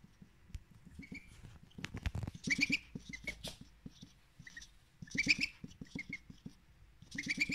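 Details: Male pet duck begging for more salad at breakfast, thin high peeps rising in short bursts of two or three, mixed with rapid wet dabbling clicks as the bill works through the food.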